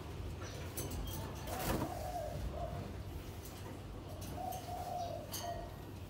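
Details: Spotted dove from a breeding pair kept together for three days, now preening each other and carrying material to build a nest; two soft, low cooing phrases, each a drawn-out coo with a shorter tail note, among clicks, knocks and background rumble.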